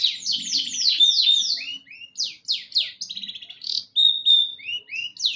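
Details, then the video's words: Long-tailed shrike song mixing descending sweeping whistles repeated in quick series with a buzzy trill and a thin sustained whistle, fast and varied. "pentet gacor | cendet gacor full isian"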